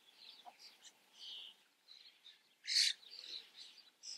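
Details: Common starling (Sturnus vulgaris), calls.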